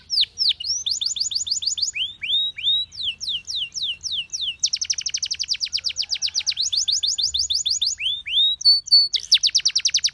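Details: Singing canary, song for training other canaries: alternating series of rapid rolling trills and descending whistled sweeps, each tour repeated several times before switching, clear and loud with no other sounds.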